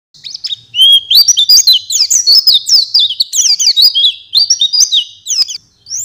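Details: Oriental white-eye master song for training songbirds: a rapid, high, twittering stream of sharp chirps and slurred whistled notes, almost continuous after the first second, with brief pauses near the end.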